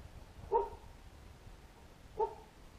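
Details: A satin bowerbird, one of several visiting a property with a bower nearby, gives two short, nasal, mid-pitched calls about a second and a half apart against a quiet background.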